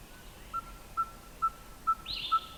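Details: Red-fronted tinkerbird, beak closed and throat inflated, gives five clear, level, anvil-like notes at just over two per second, followed by a brief higher chirp from another bird.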